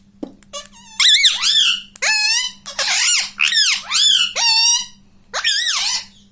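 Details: ['Talking pet ring-necked parakeet repeating "mummy": a run of about seven loud, raspy, rising-then-falling syllables in quick succession, a brief gap, then one more, with a constant low electrical hum underneath.']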